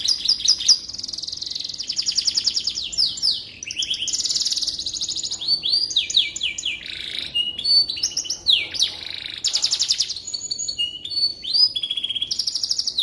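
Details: A canary's long, unbroken song, offered as tutor material for shamas: rolling high trills alternating with swooping whistled slurs and rapid chip series, sustained for the full length with only brief breaks.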